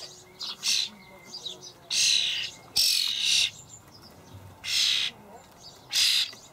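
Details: In a Hamburg allotment garden on 28 May 2012, juvenile starlings call for food as parents feed them; loud wheezy, scratchy bursts recur every second or so, interspersed with quieter twitters.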